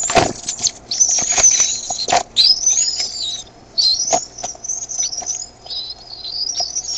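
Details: Bald eaglets at Decorah on 13 May 2015, 6:35 PM CDT, growing noisier as their mother brings food; one eaglet spreads its wings as if mantling. Thin, high whistled chittering comes in uneven bursts, with scuffling and wing-flapping thumps.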